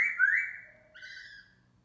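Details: Black laughingthrush (khướu mun) singing and dancing in the morning. Two clear whistled phrases: the first is long and slurs upward, and a shorter flat one follows after a brief pause.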